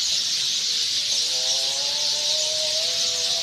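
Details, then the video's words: Sind sparrows chattering in nests at nightfall, a dense high chirping chorus, while a drawn-out chanted voice, the evening call to prayer, rises faintly beneath it. "Chirping Sounds ||Sind Sparrow"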